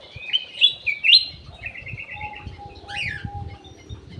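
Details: Ruby-throated bulbul (cucak emas) singing in an aviary as a lure: bright rising whistles, then a short trilled run and a downward-sweeping note. A steady low hum and faint rumble lie underneath.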